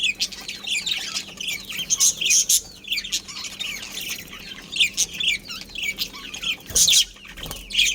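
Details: Budgerigars, a breeding pair, chirping with uneven scratchy chatter and squeaky high notes, plus a couple of louder sharp bursts near the end.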